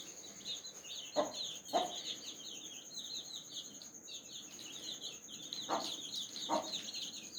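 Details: Mother hen calling her baby chicks to eat strawberry: four short low clucks, paired early and late, over a continuous busy chorus of high chick peeps and a steady shrill background whine.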